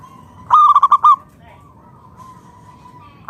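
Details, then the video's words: Loud-singing local zebra dove, used as a lure so other doves start singing: one quick staccato series of ringing coos, a long faint drawn-out tail, and the next phrase beginning at the close. "PERKUTUT LOKAL GACOR SUARA PALING AMPUH UNTUK PANCINGAN BURUNG PERKUTUT AGAR NYAUT BUNYI GACOR"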